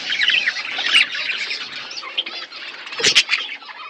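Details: Pet budgerigar flock feeding on winter food in Asia, giving a continuous mesh of high chirps and scratchy warbles, with a brief sharp clatter near the end like wings or perch knocks.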